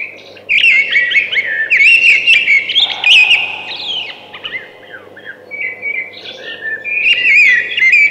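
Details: A thrush pours out continuous warbling song, with sharp trilled notes and slurred whistles that swell and fade in waves, and a short low hum near the middle.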